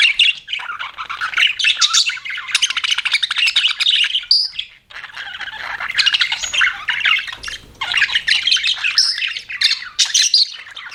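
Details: Pet budgerigars chirping in a busy, continuous chatter of quick high twitters and squawky notes, with a short pause near the middle before the chatter resumes.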